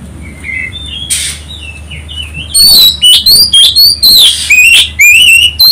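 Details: Provoking song of an Oriental magpie-robin, used to get other birds singing. Soft scattered chirps give way to a loud, fast run of bright whistles and upward-sweeping notes lasting about three seconds.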